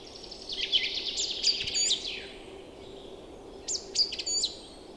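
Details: April chorus of newly arrived birds in forest and meadows in early spring, with floodwater nearby. Two bursts of tinkling, high chirping phrases are separated by a short pause, with a faint steady hum underneath.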